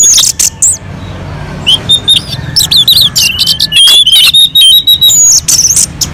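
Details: Orange-headed thrush on a mountain slope, song used as a lure to provoke other birds into singing: varied whistled phrases and sharp chirps between 3 and 8k pitch, irregular bursts with short gaps, low rumbling hum underneath.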